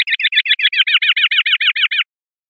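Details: Common linnet, 'pardillo limpio' clean song style from a 2021/2022 CD: a quick, evenly spaced run of about fourteen sharp, bright chirps over two seconds before stopping cleanly, with nothing else audible.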